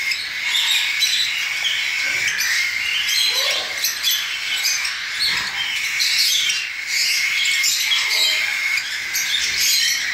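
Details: Hand-reared cockatiel chicks, just out of the nest, begging at feeding time; a constant high-pitched rasping hiss with faint scattered chirps and occasional soft handling noises.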